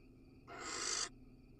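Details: Barn owl inside a nest box in Israel during a male's pellet casting; a single broad, rasping hiss that lasts about half a second and swells toward its end over a quiet background hum.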